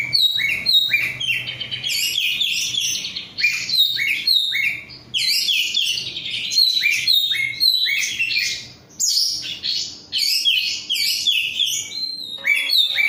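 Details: Kacer, the oriental magpie-robin, singing a gacor bahan bird's energetic song: dense bursts of bright whistles, scratchy chatter and fast trills in phrases of one to three seconds separated by brief pauses, in a quiet setting.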